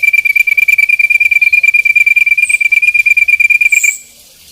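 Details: Ashy drongo giving its 'tembakan' song, a fast, even, high trill of sharp notes repeated more than ten times a second on one steady pitch, stopping abruptly near the end.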